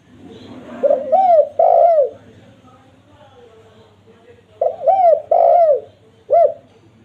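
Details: Spotted dove call used as a lure for wild doves: two repeated phrases of wavering low coos and a long falling note, then a final short coo, with faint chatter beneath.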